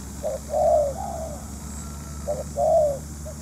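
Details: Spotted dove calling as a trapping decoy: two phrases of mellow, husky cooing, each a brief opening note then a longer, slightly falling coo, separated by a pause of over a second, with faint constant background noise.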